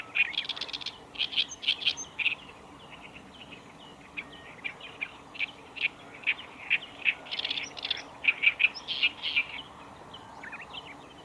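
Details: Black-browed reed warbler song at the Kita-Fuji training ground in Japan on 15 July 2019: rapid chattering bursts, then spaced single chips and scratchy phrases, growing dense again, with a faint low hum throughout.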